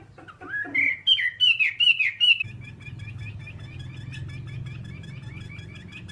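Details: Whambie song on a master training recording: a short burst of quick, bright whistled notes in a rising-falling run, giving way to a steady low hum and faint ticking.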